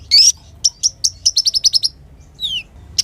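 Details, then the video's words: A lively sunbird's song, played to teach songbirds: an opening sharp, rising note, then a quick run of about ten high chirps, a pause, and a thin, falling whistle. "KOLIBRI GACOR UNTUK MASTERAN KOLIBRI MACET DAN BURUNG KICAUAN"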